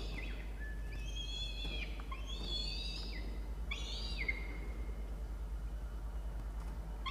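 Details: Peregrine falcon in a nest box on a university campus in Orange, New South Wales, Australia, with an adult feeding the chick at breakfast; three harsh, chattering calls with falling harmonics in the first four seconds, over a steady low hum.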